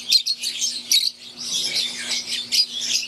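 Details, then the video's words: Green wild-type and Euwing Fischer's lovebirds in an aviary give sharp, high chirps, a few loud separate notes at first, then continuous squeaky twittering, over a faint low hum. "Wild type Fischer green & Euwing | Relaxing Sound | Birds Chirping"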